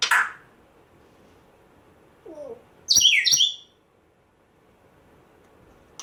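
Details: Indoor African grey parrot, rescued a month earlier, gives a brief doubled high squeaky chirp after a soft low squeak, then silence.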